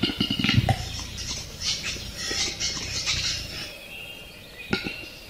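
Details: A western capercaillie (Tetrao urogallus) gives a few dry knocking clicks, then a run of scratchy, hissing bursts and one last sharp pop, over a low rumbling background.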